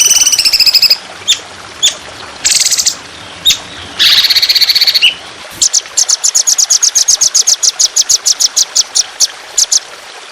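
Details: Fierce trotolan 'shot' song for training songbirds, set over trickling water. Harsh buzzy trills and warbles open the phrase, then a long, fast train of sharp, high, evenly repeated chirps follows.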